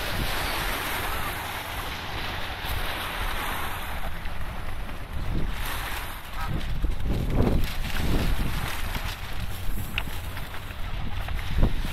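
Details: Blustery wind and lapping water with low rumbling, no animal calls heard.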